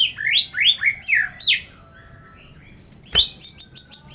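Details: Loud white-rumped shama song from a bird sunned hard to lift its spirit and condition: a run of bright rising whistled sweeps, a pause, then a sharp snap and a quick series of high repeated notes.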